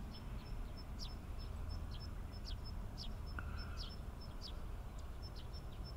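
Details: Eurasian tree sparrows (Passer montanus saturatus) at Inba-numa Lake, Chiba Prefecture, Japan, give short, high chirps every half second or so, with faint steady high ticking and a low traffic rumble throughout.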